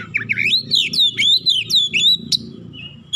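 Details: Oriental magpie-robin singing to provoke a rival: a fast run of loud whistled slurs and swooping notes, rising and falling, with a soft low rumble underneath.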